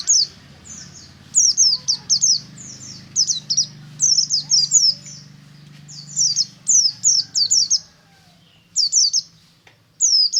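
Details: In the morning, a buxtomi white-eye (pleci) sings in the lively ngalas manner, used to prompt other white-eyes to sing. Dense runs of high, thin, downward-sliding whistles come in bursts, with a low hum behind.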